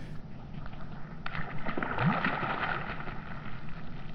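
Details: Sloshing, gurgling water and boat noise by a river, with a steady low rumble and no animal call.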